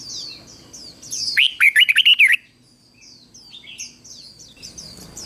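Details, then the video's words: Red-whiskered bulbul used as a decoy, singing to call wild birds and stir them to sing: one loud burst of rapid, rich warbled notes lasting about a second, between softer high chirps from other birds. "Chào Mào Mồi Hót Gọi Chim Rừng Kích Chim Hót Hay"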